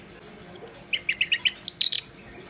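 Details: Black-browed reed warbler giving a brief phrase of about five even chattering notes followed by higher, sharper squeaky chirps, against a steady low background hiss.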